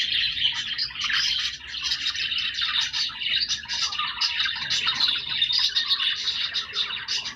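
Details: Group of pet budgerigars chattering, bright chirps, clicks and warbled squeaks crowding together in a continuous rolling babble.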